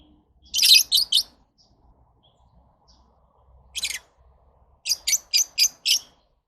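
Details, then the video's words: Shrill, rasping chirps from lovebirds: an opening group of three, a lone burst, then a closing series of five evenly spaced squeaks, with quiet gaps between the groups. "Love birds Sounds"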